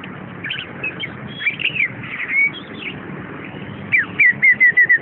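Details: Caged orange-headed thrush in full song: varied whistled phrases and quick slurs, ending in a run of five or six clear, even, descending whistled notes about a quarter second apart, over a faint background hum.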